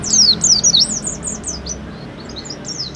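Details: Oriental white-eye in 'ngalas' song style, played as a lure to prompt kept birds to sing: a fast burst of very high, thin, descending twittered notes, then softer scattered chirps in the second half.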